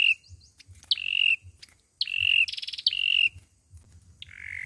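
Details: Olive-backed sunbird fighting song used to lure birds into a trap: thin whistles entered by sharp downward flicks, one rapid buzzy trill between phrases, the last note lower, with faint low hum.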